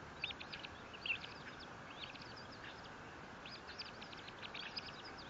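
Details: Bald eagle calling at the Fort St. Vrain nest, filmed by a nest camera in April 2024: rapid series of thin, high piping notes in two runs, one brief louder squeak, steady background hiss throughout.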